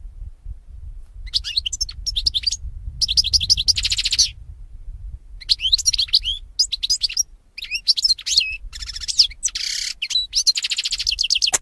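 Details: European goldfinch song used to train goldfinches to sing: rapid bursts of high twittering notes and buzzy trills, broken by short pauses, with a low rumble underneath.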